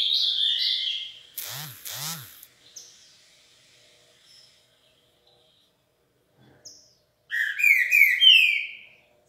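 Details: A green-winged saltator in Rio de Janeiro, warming up, gives a rich, whistled phrase, pauses through a couple of brief swooping noises, then returns with a louder, fuller burst of notes.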